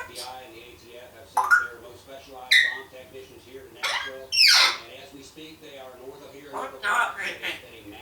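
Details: Pet African grey parrot, a one-year-old female, chattering in a speech-like babble broken by sharp squawks and quick rising whistled bursts, recorded indoors.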